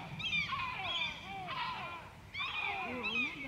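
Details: White-tailed eagle at Grönvik, Ornö on 16 July 2024: overlapping shrill, falling yelps in two bursts with a short pause between, plus lower wavering whining notes near the end.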